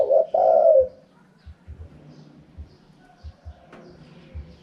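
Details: One husky spotted dove coo phrase in the khaham pa wild style opens the recording, a short note into a longer rolling coo, followed by quiet with occasional low thumps.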